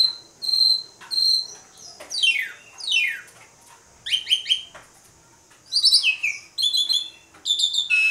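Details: Asian pied starling (jalak suren) in a lure recording meant to make other starlings sing, singing energetically in the pumping style. Loud, varied bursts of clear whistles with steep downward-sliding notes, high ringing notes, and short pauses between phrases.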